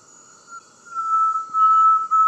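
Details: Inhambu-serra tinamou singing a clean, flat whistle that starts softly, then sounds in loud, sustained stretches broken by brief dips, over a thin steady high-pitched hiss.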